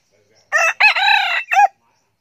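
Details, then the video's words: Young male red junglefowl kept as a decoy bird, recorded in 2019, crowing once: a short opening note, then a long, steady, held middle note and a brief clipped ending, about 1.2 seconds in all, with a quiet background. "Gà tơ siêng gáy, gà rừng mồi"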